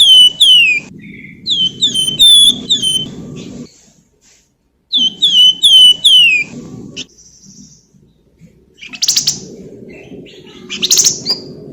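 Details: Golden-bellied gerygone in full song, used as a lure to stimulate other birds to sing: clear, high, thin whistled notes sliding downward in quick runs, a pause, then another run, followed by scratchy chattering bursts over a low background hum.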